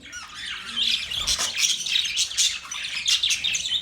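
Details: Budgerigar warbling chatter, a steady flow of bright, twittering high notes and scratchy chirps with small swells, from these Australian parrots.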